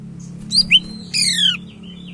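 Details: Sumatran leafbird singing vigorously as a tutor bird: two sharp whistled chirps followed by a longer descending buzzy note rich in overtones, with a steady low hum in the background.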